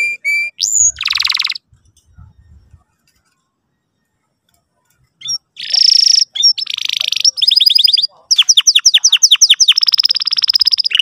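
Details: Canary, a singing lure meant to coax a young canary into learning song: bursts of fast buzzy trills and rapid chirp series high in pitch, separated by a long quiet gap, with faint low thumps at the start.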